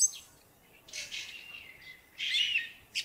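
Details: Spring song of a song thrush, quieter and farther off: two brief bursts of rich whistled and chattering notes separated by a pause, over a faint steady background hiss.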